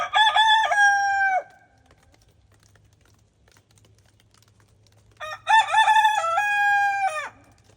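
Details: Two loud crows from Araucana chickens on a snowy farm, separated by about four seconds of near silence. The second crow is longer and stepped, with a stuttering start, a level middle and a drop at the end.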